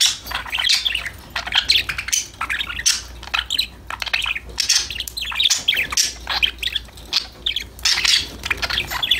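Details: Happy budgerigars talk and sing to each other in continuous, lively warbling chatter of rapid twittering notes. The loud pulses come roughly every half second, with no other clear sounds.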